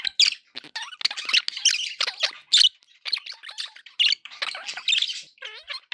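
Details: Budgies sounding happy, keeping up a lively stream of squeaky chirps, rasping squawks and bubbling warbles, with brief gaps and a few clear rising whistles near the end.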